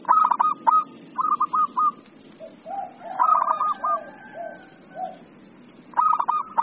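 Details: Zebra dove of a local type singing actively, other doves answering: stuttering runs of rapid, wavering coos alternate with lower, softer hoots in the pauses.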